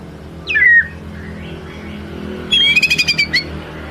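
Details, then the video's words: White-rumped shama singing in the ngelemak style, used as a lure to draw out another bird's repertoire: one falling whistle, a pause, then a quick trill of repeated bright notes ending on a short whistle. "Kicau murai batu ngelemak | pancing murai batu bongkar isian"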